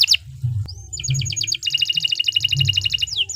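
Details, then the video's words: Canary singing a long master song for training other birds: a short sweeping note, a sustained high whistle, then rapid evenly repeated chipping notes forming a steady trill, with low background hum. "Suara Burung Kenari II GACOR PANJANG Cocok untuk Masteran"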